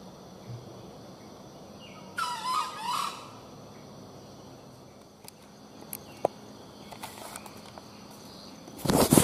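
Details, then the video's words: Junglefowl crowing during a hunt: one loud, hoarse, harmonic crow of about one second rises out of steady insect hum. A sharp click follows later, then a burst of handling noise at the end. "Berburu Ayam Hutan. Kluruk sangat lama"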